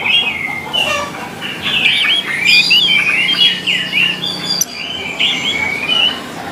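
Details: Training recording of an orange-headed thrush for caged birds: sweet whistled phrases, then a dense run of twisting warbles midway, ending with softer looping whistles after a short break.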